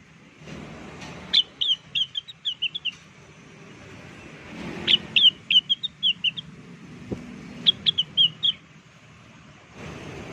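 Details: Lure song of a blue-winged leafbird (rengganis) in full voice: three separate bursts of bright, high whistled notes, each a fast descending string, over a low rumbling background like passing traffic.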